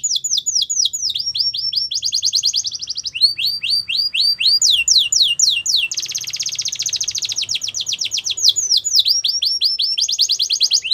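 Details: Wild yellow canary in continuous song: rapid tours of repeated descending whistled notes alternating with fast buzzy rolls, sustained loud and high for the whole stretch, no other sounds clear.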